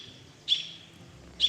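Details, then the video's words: American robins giving alarm calls near a forest with barred owls around 5 o'clock, two sharp, high alarm notes about a second apart, with a faint thin tone held between them. "You hear the robins alerting."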